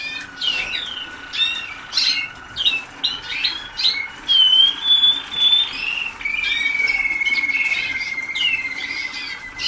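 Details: Waterslager canary students a few days into song training, 2010, with rapid chirping phrases, then a sustained clear whistle, then a long steady lower tone lasting about three seconds, indoors with faint hum.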